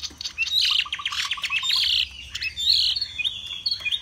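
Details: Caged Chinese hwamei from Vietnam, displaying and singing high. A brief burst of quick repeated notes leads into high, drawn-out whistled phrases.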